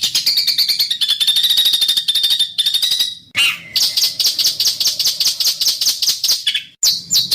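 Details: Rough besetan master song of a bird for training. Long, fast runs of rasping, buzzy high notes with a steady tone underneath are briefly broken, then return as dense, rapid chattering bursts.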